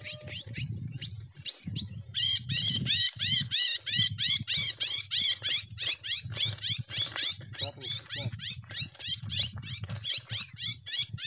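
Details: Red-cowled cardinal delivering a long gavião-style song: dozens of high, hooked, down-sweeping notes repeated rapidly at about three per second, briefly pausing early on, with a low background hum throughout.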